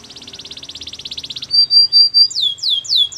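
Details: Canary singing a fast, buzzy rattle-like trill that breaks into long whistled notes, then slower, loud sweeping downslurs.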